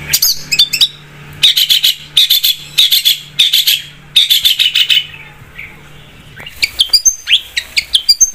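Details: Long-tailed shrike singing hard as a lure for other birds: dense buzzy, rasping bursts repeated about every half second, then a run of thin, high, sweeping chirps.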